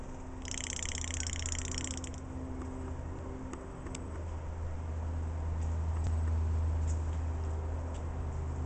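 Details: Scrub-jay making its rattling sound with its beak: a rapid, evenly pulsed, dry clicking rattle lasting under two seconds near the start, then scattered faint clicks over a steady low hum.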